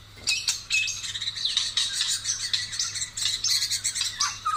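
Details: White-rumped shama, Taiwan type, singing a dense, fast run of varied high chirps, trills and short whistled notes, phrases tumbling one into the next with barely a pause; a faint steady low hum underneath.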